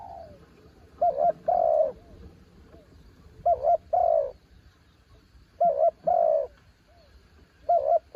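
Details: Spotted dove kept as a branch decoy coos in steady pairs: a short warbled note, then a longer cooing note that drops in pitch. The phrases repeat about every two seconds, with quiet background noise.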